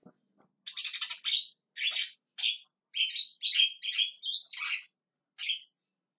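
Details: Javan myna calling loudly and repeatedly: a run of harsh, noisy chattering notes with a few whistled, rising squeaks mixed in, in uneven bursts over about five seconds, no other sounds.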